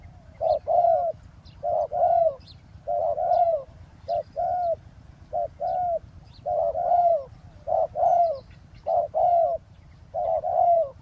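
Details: Roadside ground trapping of a wild spotted dove using a decoy bird: steady series of deep rounded coos, paired notes roughly every second, phrases running on almost without pause, background quiet apart from soft low rumble.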